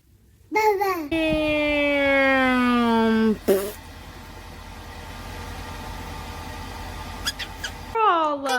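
A parrot talks in a human-like voice, stretching one word into a long, slowly falling tone.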